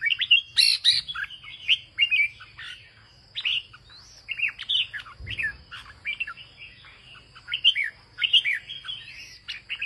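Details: A farmer's red-whiskered bulbul sings northern ché-style song at length, a busy stream of sharp chirps, upward and downward slurred whistles and short trills with brief pauses, over a steady faint high hum and a single low thump midway.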